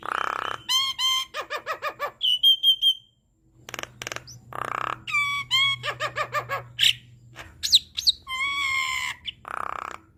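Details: Javan myna (jalak kebo) in active 'gacor full isian' song, used as a master recording for captive birds: quick chattering notes, a short clear whistle, gurgling downslurred phrases and a harsh noisy blast, separated by brief pauses.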